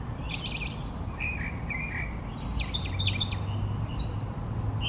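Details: Male brown thrasher singing during a long session among three trees: a buzzy trilled phrase, then two low slurred whistles and a burst of sharp chirping notes, over steady low rumble.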